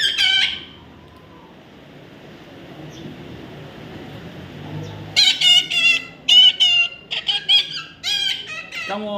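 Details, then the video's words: A baby parrot gives one sharp squawk, falls silent for several seconds, then bursts into a rapid series of grating, harmonic calls. "natural funny parrot sound"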